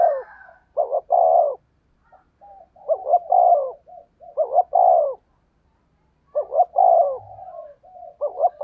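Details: A spotted dove, a wild-caught lure bird, gives quick, hoarse, mid-pitched rapid cooing in phrases of two or three notes, separated by short pauses, against a quiet background.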